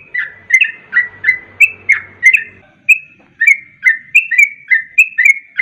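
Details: Sooty-headed bulbul lure song, fast 'garuda ropel' type: bubbly slurred whistles in a continuous stream, dipping and rising notes roughly three per second, with a faint low murmur early on.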